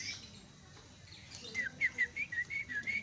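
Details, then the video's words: Myna calls used as a lure to get a silent bird chattering: a faint quiet start, then a run of short whistled notes about every quarter second, each slightly rising or falling, over low background hiss. "sekali pencet langsung cerewet terapi jalak macet"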